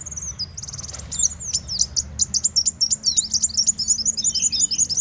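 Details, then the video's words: Sunbird call played as a lure for trapping birds: thin high whistles open, then a rapid run of sharp, piercing chirps and twittering notes at a steady, quick rhythm, with a quiet low rumble underneath. "Panggilan Burung Muncang"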